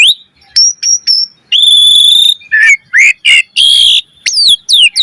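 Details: Asian pied starling lure song for training, mostly whistled: a high flat note, long steady whistles, short rising slurs and harsh buzzes, ending in quick descending whistles.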